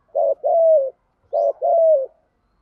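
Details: Spotted dove cooing in the thúc gù style: two phrases, each a short low coo followed by a longer drawn-out coo that slides gently downward, the pair delivered within about two seconds in otherwise quiet surroundings.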